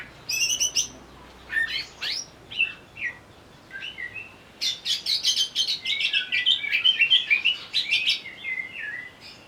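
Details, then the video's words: Agitated greater green leafbird, provoked to sing, delivers a rapid, varied stream of high whistles, chips and harsh buzzy bursts, tightening into a dense chattering run in the second half. "pancingan burung cucak ijo agar bunyi sambil emosi"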